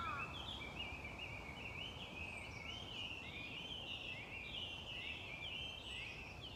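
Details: Continuous Chinese hwamei song: a flowing chain of bright whistled phrases and quick warbled slurs, varied and unbroken for the whole stretch, over a steady hiss of environmental noise.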